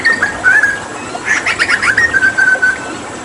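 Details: Hooded butcherbird from Papua, a skilled mimic used as a training bird, in a water-therapy 'tembakan' bout: clear sustained whistles near the same pitch, broken by a burst of rapid buzzy chattering notes in the middle, then steady whistles again.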